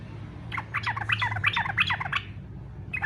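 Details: Short burst of fighter-style yellow-vented bulbul song, meant to prompt other bulbuls to join in: about a second and a half of rapid, gurgling, bouncing notes, with a brief note at the end.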